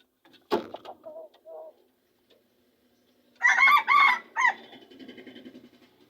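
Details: Junglefowl from Aceh, a wild-origin bird obtained only a week earlier, giving a short, harsh, two-part crow of about a second after a few soft clucks, ending in a clipped final note.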